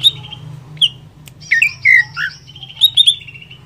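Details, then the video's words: Greater green leafbird singing vigorously, meant to rouse another leafbird. A few clear whistled notes, then a quick run of slurred descending chirps and a rising-falling whistled phrase near the end, over a steady low hum. "Merangsang Cucak ijo Lain Cepat Emosi"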